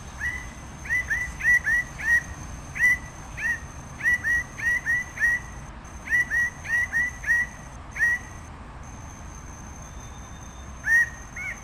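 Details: Red bird-of-paradise delivering a long, irregular run of about twenty loud, short, upslurred notes in quick bursts with brief pauses, over a constant high thin insect-like whine.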